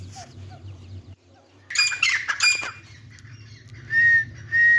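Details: Grey francolin (teetar) kept with its chicks: a burst of harsh mixed squawky notes, then two loud, clear, level whistled notes near the end, over a low steady hum.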